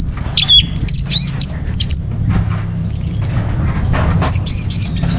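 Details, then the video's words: Orange-headed thrush singing, as a lure and tutoring song for caged birds: high, quick chirps and slurred whistles in irregular clusters, with a faint low hum beneath. "Bikin Geger ANIS MERAH Dirumah Pasti Gacor || Pancingan sekaligus Masteran Burung Punglor"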